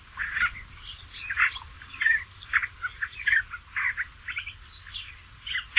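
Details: Song of a Basra reed warbler: grating, chattering phrases broken by short pauses, with harsh churring notes repeated at an uneven pace and a faint low rumble in the background.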